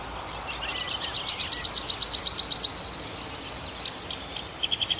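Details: Bird singing in a night forest, Arkhangelsk Oblast, June: a rapid, even trill of high notes lasting about two seconds, a thin falling whistle, then several sharp swept notes and a lower short trill.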